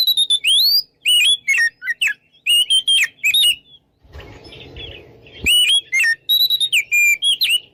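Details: Oriental magpie-robin singing 'ngeplong' style to goad rivals into fighting: sharp whistles, slurred up-and-down notes and quick chirps, broken by a short stretch of low rumbling noise before the song resumes.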